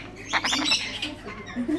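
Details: Tame, hand-reared male turquoise-fronted amazons hatched in 2019 give a quick run of harsh, raspy squawks over about half a second, then softer scratchy chatter and low murmurs.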